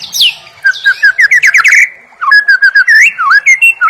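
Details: White-rumped shama full-fill training song: a high descending whistle, then quick rhythmic runs of bright whistled notes, a short pause, and another run of varied, bouncy whistles.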